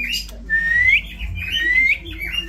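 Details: Indian ringneck parrot, locally called chandna tia, presented as a remarkable talker; clear rising whistled glides repeated twice, with harsher chirps between, over faint background music.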